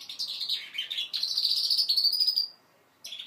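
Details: Goldfinch mule aged five months rehearsing song: quick twittering notes, then a sustained buzzy trill, a short silence and a final burst.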